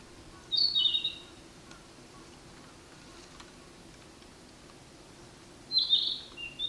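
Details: Male Narcissus flycatcher singing on 10 May 2026: a short, bright, warbled phrase near the start, a long quiet gap, then another similar phrase ending with a lower note.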